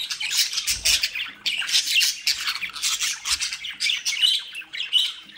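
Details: Mischievous captive-bred budgerigars from the Den Haag area of the Netherlands squawk and chirp almost nonstop, loud scratchy notes tumbling over one another, with a couple of low thumps in the background.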